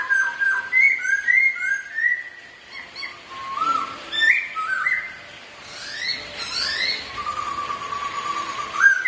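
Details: Competitive singing by two pet Black-throated laughingthrushes that also dance: a varied run of rich whistled phrases, rising and falling, with high chirps and squeaks woven in, ending in a long level whistle that lifts upward.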